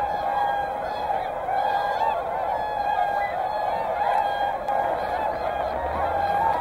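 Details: Whooper swans with tundra swans at Hyoko in Niigata call in a continuous chorus of soft, nasal honks, a few clearer trumpeting notes rising above the flock.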